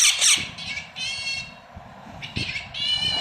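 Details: Chirping baby parrots make harsh, raspy, buzzy squawks in drawn-out bursts separated by short pauses.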